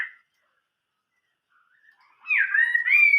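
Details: Chinese hwamei singing in the 'old forest voice' style: a brief whistle cut off at the start, near silence, then a strong slurred phrase of falling and rising whistled notes running to the end.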